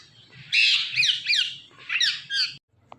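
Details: Indian ringneck parakeet, described as talking, giving a burst of harsh, squawky chattering notes in quick rough phrases over about two seconds, then a short pause and one faint squeak; a low hum sits underneath.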